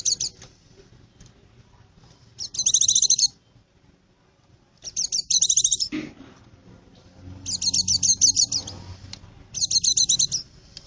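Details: White-eye singing, a recording used for luring birds in forest: short, shrill, fast-chattering phrases lasting about a second, separated by quiet pauses, with a brief thud midway.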